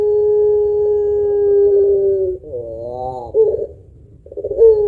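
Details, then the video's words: Long-voiced puter pelung spotted dove with a thick, heavy finish, kept to set other birds singing: a flat, humming coo for over two seconds, an undulating wavy phrase, a short gap, then the coo resuming. "Burung Puter Pelung Gacor Suara Panjang Kuwok Tebal Cocok Buat Pancingan"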